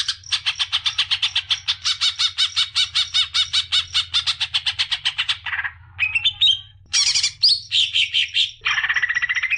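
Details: Greater green leafbird song for stimulating young birds: a long, regular series of sharp buzzy notes lasting over five seconds, followed by varied squeaky, scratchy phrases and a thin whistled ending.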